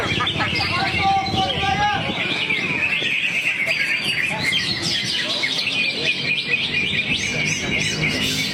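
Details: Greater green leafbird running through a continuous stream of sharp chirps and whistled trills, while a person talks early on and soft background noise persists.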